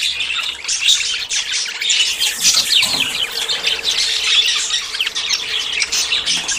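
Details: Several budgerigars courting and about to breed give a dense, continuous warbling chatter of squeaks and chirps, with sharper squawks around the two-and-a-half-second mark and a faint steady low hum underneath.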